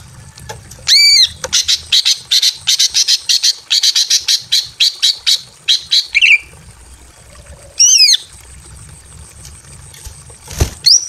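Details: Greater green leafbird female in breeding condition calling a male from a simple aviary: a loud arched squawk, then a rapid chattering run of clipped notes, a rising twisted note, and another squawk.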